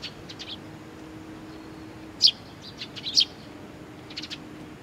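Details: Chicks waiting for their parents at Tenmangu shrine, Nakanoshima, on 25 June 2020; short high-pitched chirps come in scattered bursts, two louder double chirps near the middle, over a steady low background hum.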